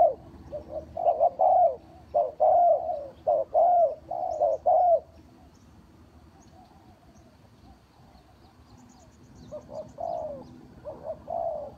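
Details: Spotted dove lure for trapping: a steady string of low, soft coo-croo phrases for about five seconds, then a long pause before quieter cooing resumes, faint tiny chirps far off.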